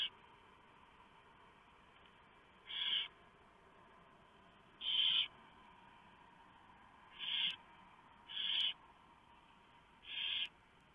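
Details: Barn owl family at night, 3 November 2015, male bringing a huge mouse that the female tears up for the owlets; five rasping, hissed screeches spaced irregularly every one to two and a half seconds.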